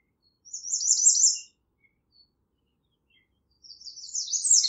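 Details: Song of an American redstart: two high, thin phrases of quick, sharp notes about three seconds apart, the second rising in pitch toward its end. No other sounds beneath the singing.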